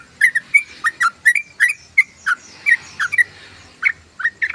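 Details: Loud sooty-headed bulbul singing (ngoceh): rich, whistled, slurred phrases delivered in separate bursts roughly every half second, each note dipping or rising sharply, in a quiet setting.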